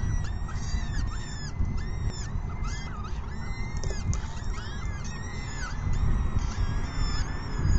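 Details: Peregrine falcon chicks begging at an evening feeding, 6 PM on May 14, 2021: dense, overlapping shrill arched squeals repeated rapidly throughout, several chicks calling at once over a steady low rumble.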